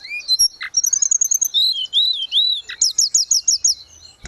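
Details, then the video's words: Energetic grey-cheeked bulbul song, 'gacor', for training kept birds: a rising whistle and a harsh note, then a chain of rapid high notes, smooth looping whistles and a closing series of quick repeated high chirps. "Terapi tledekan gunung _gacor"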